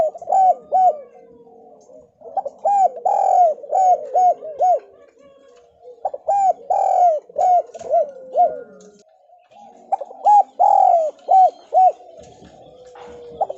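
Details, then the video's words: Javan spotted dove giving a 'kuk2'-style lure call meant to prompt lazy doves to call. Bursts of mellow, arched coos in groups of three to five, repeated with short pauses, with a soft indoor hum behind. "Deruk Terkukur Gacor!! [ cu gáy jawa ] Chim cu gáy gọi kích bổi nhanh nổi hiệu quả mới nhất"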